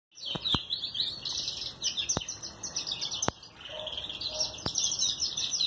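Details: Red mosaic canary chicks, still yellowish and white before their first moult, at their first feeding by a breeder; dense high chattering, rapid squeaky begging notes run continuously, with several sharp clicks and faint low sounds.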